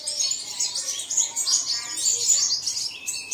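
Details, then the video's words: Dawn playback for caged birds. Dense high-pitched warbling and twittering with fast trilled runs, several birds overlapping. "Bật Tiếng Chim Này Lên Vào Sáng Sớm Chim Của Bạn Sẽ Hót Ngay"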